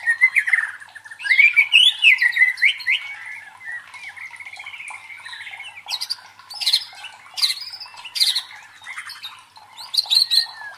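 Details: White-rumped shama (murai batu) singing, used as a provoking song to train contest birds' fighting spirit: varied warbling phrases of slurred whistles rising and falling, then sharp high chips and bursts, with short pauses.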